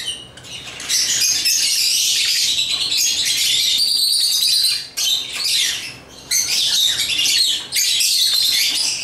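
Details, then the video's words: Pet African lovebirds playing with toys chatter in thick, high, scratchy twittering bursts lasting one to three seconds, separated by brief dips, with some harsher squawky notes mixed in. "Love birds chirping & playing toys"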